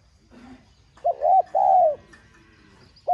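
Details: Spotted dove, 'giọng son' voice style, urging call to stimulate other doves: a short arched coo and a long falling coo, then the start of the next phrase, over faint low hum.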